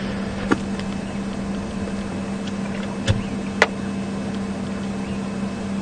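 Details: On an afternoon game drive at Djuma Game Reserve, 12 May 2015, an idling engine hums steadily, punctuated by three sharp clicks or knocks.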